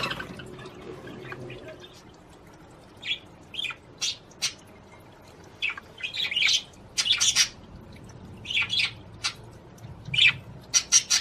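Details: Budgerigar song aimed at stimulating a female to mate: quiet start, then scattered sharp chirps and buzzy chattering bursts growing denser toward the end.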